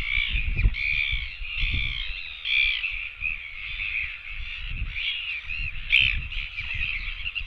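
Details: Begging royal albatross chicks keep up a continuous run of wavering, nasal calls in loose pulses, with wind rumbling beneath.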